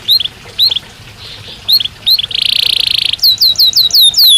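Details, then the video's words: Belgian canary song, sung naturally: spaced high paired chirps, then a rapid rattling trill lasting under a second, followed by a quick run of downward-slurred whistles. "Canario Belga Cantando Naturalmente"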